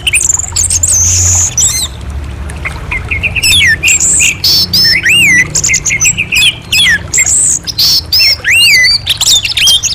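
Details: Orange-headed thrush song: a rich run of wavering, looping whistles and quick chirps repeated nearly three times a second, with a steady low rumble in the background.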